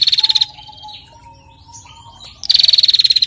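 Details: Two bursts of a female bar-winged prinia's rapid, rattling, high 'ngetirrr' trill, meant to stimulate other birds, one at the start and one at the end, with thin lower whistles and a background hum between.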